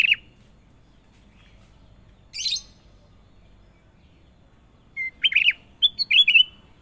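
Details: A sooty-headed bulbul sings a short note, then after a brief hissing burst and a pause delivers a quick warbled phrase of chirps and rolling whistles near the end.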